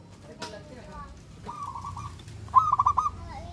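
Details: Local zebra dove, a persistent singer, giving song meant to prompt other doves to answer: one faint, then one loud stuttering phrase of four quick mid-pitched cooing pulses, with a soft click and background hum.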